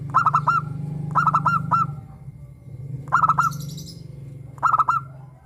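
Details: Local zebra dove with a clear crystal voice, played to encourage captive doves to sing: rapid ringing coo phrases of about five notes, repeated at intervals, over a steady low hum with a brief hiss.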